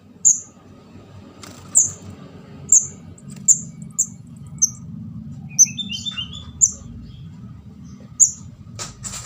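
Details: Young orange-headed thrush giving its begging call, a recording used for luring birds: nine thin, high-pitched chirps spaced roughly a second apart over steady low background rumble, with a few softer chirps between.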